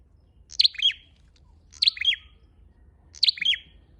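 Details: Lure call of a flowerpecker known locally as chim sâu đầu đỏ: three identical high, thin two-part chips, each a quick descending tick pair, spaced about every 1.3 seconds against faint low background noise.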